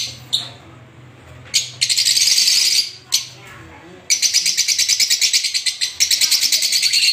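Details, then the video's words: Finch chirping in high, buzzy bursts: a few short single notes, then long strings of rapid pulsed chirps that run together. A faint low hum sits underneath. "Finch Bird Sound"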